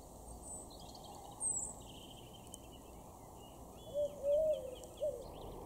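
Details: Eurasian collared dove in a garden in Weener, East Frisia, far northwest Germany, in April 2021, giving a soft, low three-note coo, short-long-short, over steady background hiss with faint songs of other birds higher up.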